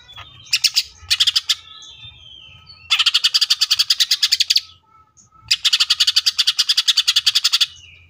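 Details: Greater green leafbird firing long 'tembakan' bursts: two short rapid rattles, then two sustained runs of about fifteen to twenty fast, evenly repeated harsh notes, separated by a brief quiet gap.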